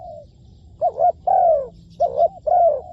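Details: Low, soft coos from a spotted dove used as a trapping decoy. Two phrases, each a short, wavering note followed by a longer, gently descending coo, with a faint bird chirp in the background.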